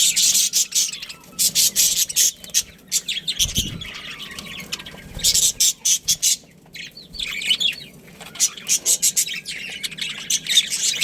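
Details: A pet breeding pair of budgerigars giving dense runs of scratchy chirps and squawks, a short quieter gap in the middle, then renewed rapid chatter, with a low thump near the middle.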